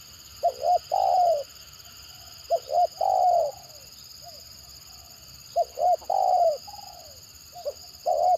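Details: Spotted dove calling in the stammering 'gagap' manner to draw other birds: four phrases of twin short coos and a long falling coo, roughly every two and a half seconds, with soft extra coos between.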